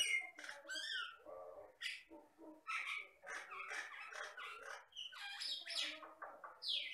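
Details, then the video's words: Jalak Batam myna, an Indonesian Riau Islands mimic of rice fields and plantations, giving a jumbled run of harsh chatters, yelping notes and short sweeping whistles with hardly a pause. "MASTERAN BURUNG JALAK BATAM GACOR"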